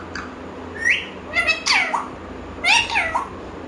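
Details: Pet parrot talking in three bursts of harmonic, speech-like squawking syllables with sweeping, bending pitch, the loudest burst near the end, over quiet room background.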